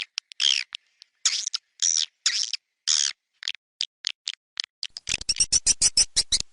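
Swiftlets give a string of sharp, high, buzzy chirps, then a fast run of rapid dry clicks near the end.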